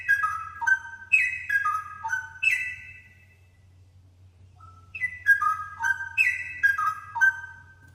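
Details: Newly arrived pair of masked laughingthrushes in an aviary: bursts of clear descending whistled notes, stepping down in short cascades, a quiet gap of about two seconds, then another run of falling whistles; low steady hum behind.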